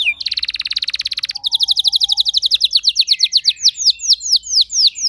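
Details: Pet house canary answering another singer with a long rolling song: a rapid buzzy trill, then a quick series of whistled notes that slow into spaced downward sweeps, steady and loud throughout.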